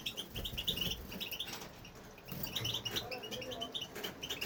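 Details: European goldfinch, a male kept in an aviary, sings without stopping. Dense bursts of tinkling, chattering high notes come in quick runs, with a brief softer gap midway and low room noise beneath.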